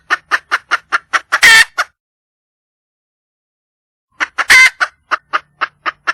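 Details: Calling for a mate, a wild red junglefowl hen gives a quick run of clucks rising into a loud, grating squawk, falls silent for over two seconds, then repeats the same cluck-squawk-cluck sequence.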